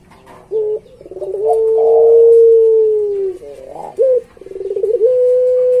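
A Barbary dove gives a low coo: a brief opening note, a long drawn-out tone that slowly falls, then a quick rolling burst ending in a steady held note.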